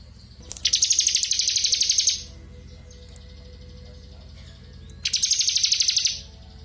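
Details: Ngebren song of a crystal blue robin, suitable as tutor material for magpie robins: two long buzzing bursts of very fast, high, even pulses lasting over a second each, with a steady low hum between them.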